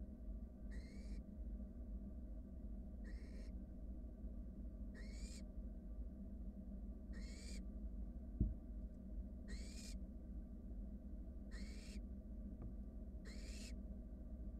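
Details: Young wild barn owls begging in a monitored nest box while one swallows a rat: seven raspy, hissing calls at a steady pace of about one every two seconds, with a low hum and one sharp knock.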